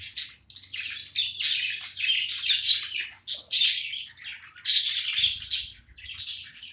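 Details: Playing pet budgie warbling continuously in bright, raspy chirps, rising and falling in rough pulses about every half second, with a short lull in the middle before louder squeaky bursts resume.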